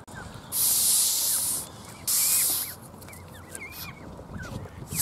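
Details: A pet or habituated Canada goose (Branta canadensis) gives two harsh, breathy hisses, the first about a second long and the second shorter, with thin chirps and whistles from other birds around it.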